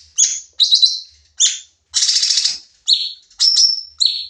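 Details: Sooty-headed bulbul singing in the fast 'nembak' style, used as a training recording for other songbirds: sharp high chirps and whistled notes alternating with buzzy bursts, roughly seven phrases in four seconds, clean with no other sounds.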